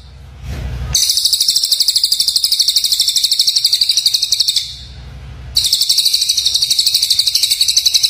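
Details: Black-crested bulbul song used to train white-rumped shama, given as long rapid bursts of high, dense chattering notes at about three per second, separated by short gaps with low rumbling noise.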